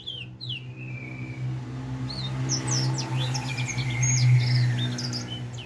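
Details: Edel sanger finch aged four months, starting to sing, gives a long thin whistle, then scattered high chirps and slurred notes over a loud, steady low droning hum.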